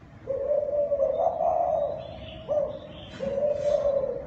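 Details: Thai dove cooing, a call used to stimulate newly caught doves: long, steady, low hooting notes, one drawn out over two seconds, then a short break and another sustained coo.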